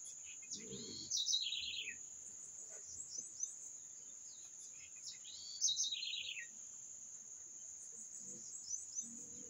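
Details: Birdsong: a bright descending trilled phrase, sliding from high notes into a rapid lower stutter, heard twice about four and a half seconds apart over a steady high insect-like drone, with soft low rustles.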